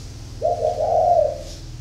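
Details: Spotted dove described as a 'thổ khách' bird with a 'vấp' catch in its coo, northern Vietnam: one low, rich, breathy coo lasting nearly a second, wavering slightly, over a steady low hum.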